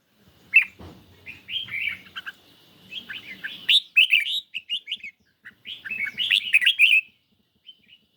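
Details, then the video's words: Caged red-whiskered bulbul in a singing duel against a phone recording on a lightly sunny day: bright warbled phrases of rising and falling whistled notes in bursts, with brief pauses between phrases. "Chim Chào Mào Của A Tủa Hót Đấu Với Điện Thoại Cực Xung"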